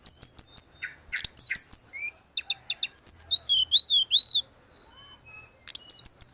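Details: Grey-cheeked bulbul song for tutoring and coaxing caged birds. Quick runs of repeated high ringing notes and chips, then several loud arched whistles, ending with another rapid ringing series.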